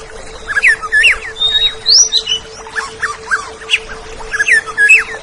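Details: Song of the oriental magpie-robin (kacer), played to train caged birds to sing: rich, varied whistles with upward and downward slurs, one long high sweeping note, and irregular chirps, over a steady low hum.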